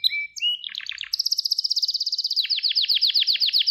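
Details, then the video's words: Gloster canary training song used to stimulate and excite males: rapid trills of repeated descending notes, some steady high whistled tones, then a faster buzzy rattle, all bright and high-pitched. "Gloster Kanarya Eğitim Sesi Canlı Görüntü | Gloster Kanarya Ötüşü Erkek Huylandırma Ve Kızıştırma"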